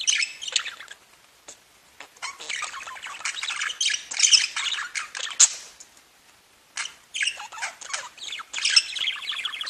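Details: Several pet budgerigars singing together, a dense, noisy wall of scratchy chatter, squawks and clicks, with a short lull near the middle before the lively jumble resumes.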